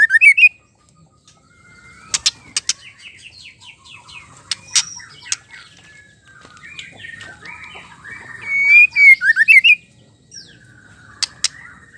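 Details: Female murai batu (white-rumped shama) song used to provoke males to sing: a loud whistled burst, then sharp clicks and a long low rambling warble, a bright rapid whistled flourish, and a final whistle.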